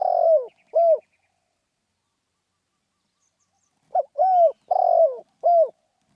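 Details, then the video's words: Rousing 'khan yon' cooing of a spotted dove. A phrase ends with a clipped coo, then after about three seconds of silence comes a full four-part phrase: a brief note, a smooth falling coo, a harsher rolling coo and a final short coo. "เสียงนกเขาใหญ่ เสียงขันโยนเร้าๆ"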